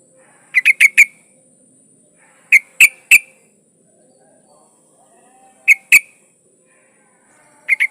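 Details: Female yellow-vented bulbul in breeding condition calling to attract a male: short bursts of three bright, bubbly notes, spaced a couple of seconds apart, over a faint steady high-pitched whine.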